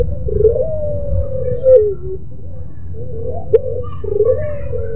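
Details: Pelung-style Barbary dove with a moaning, crying song. One long sustained hooting note tails downward, then two more drawn coos follow after a pause. A low hum runs underneath.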